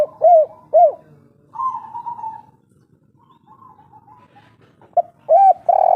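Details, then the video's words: Wild local spotted dove of the forest in kuk-3 style: two short bowed coos, a raspy drawn-out note, a quiet pause, then further coos. "Derkuku kuk3 lokal gacor ngamuk"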